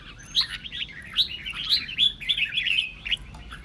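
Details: A red-whiskered bulbul sings to get other birds singing, giving scattered sharp whistles that build into a rapid warbled run near the end, then fade.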